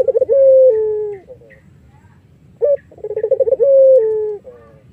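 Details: Iraq-type collared dove singing as a lure for other doves: a long gliding coo dropping in pitch, a pause, then a sharp note, a rapid rolling stutter and another extended falling coo.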